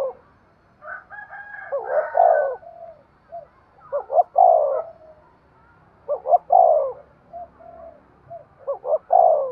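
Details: Spotted dove's stimulating coo, repeated in several phrases with soft fainter coos in between. Each phrase has stuttering short notes and then a long, warm coo, over a low background hum.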